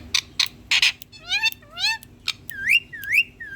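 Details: Indian ringneck parakeet, green and hand-tame, talking to a mirror: three rasping bursts, then sliding harmonic speech-like notes and two wavering, rising whistled phrases near the end.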